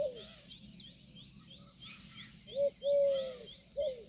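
Four low, nasal notes from an Indian peafowl, one drawn out and level, the others short upslurs, over faint high chirping of small birds.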